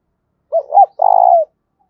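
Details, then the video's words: Spotted dove giving a loud, resonant challenge coo used to provoke fighting: two short hooting notes, then a longer sustained, slightly pulsing coo that falls away at the end, in a quiet background. "Tiếng chim cu gáy thúc bổi rất to và vang/ cu gáy thúc đấu"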